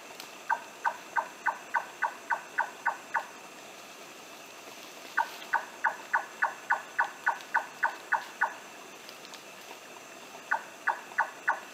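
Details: Timor nightjar, an undescribed species vocally distinct from Large-tailed Nightjar, recorded on Wetar: runs of about nine to thirteen short, knocking mid-pitched notes, around four per second, with brief pauses; faint background hiss.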